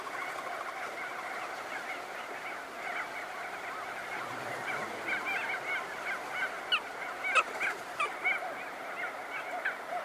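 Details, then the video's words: Crested auklets calling and beating their wings as they come out of burrows: a dense nasal chorus of many birds, with sharp clicking or flapping bursts growing in the second half. "Crested Auklet. CU Calls And Wingbeats From Birds Emerging From Burrows."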